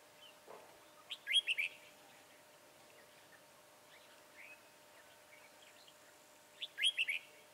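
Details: Red-whiskered bulbul being trapped with a decoy bird, recorded 22 January 2018: two short bright warbled phrases, about a second in and again near seven seconds, with faint scattered chirps between over a steady low hum.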